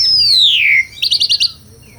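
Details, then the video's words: Asian pied starling singing melodiously: a long loud whistle sliding steadily downward, then a quick run of five high, rapid chattered notes. "SUARA KICAUAN BURUNG JALAK - JALAK SUREN GACOR MERDU SEKALI"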